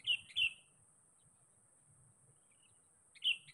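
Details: Rival-seeking call of a sooty-headed bulbul used as bait: a pair of sharp chirps, a pause of almost three seconds, then one more bright note, over a steady high electronic whine.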